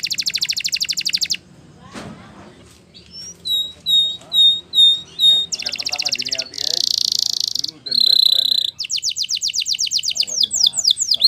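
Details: Spanish Timbrado canary delivering a training song: rapid high trill, a brief click, a slow series of clear piping notes, then dense buzzy rolls and bell-like tones ending in fast descending chips.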